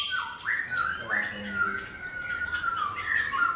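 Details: Orange-headed thrush song used as a lure to make other birds sing, a short stretch of sweeping whistled notes and high slurred phrases, loud at the start, then softer flowing whistles.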